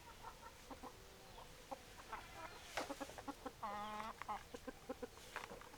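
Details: Hens and roosters at feeding, a run of rapid short clucks broken by a longer harmonic squawk near the middle, the calls repeating irregularly over low background noise.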